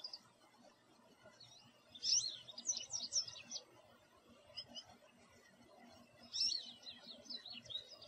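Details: An American goldfinch sitting in a backyard tree sings two bursts of rapid, high, jumbled twitters and sweet warbles, each about a second long, over a faint outdoor hum.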